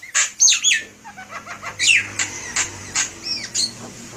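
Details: Javan myna singing as a lure: a few loud harsh squawked notes up front, then softer, spaced chirps and short curved whistles against faint background hiss.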